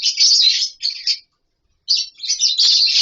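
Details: Colony-kept lovebirds nesting in wooden boxes and mud bowls give a burst of harsh high chatter, fall silent for half a second, then resume.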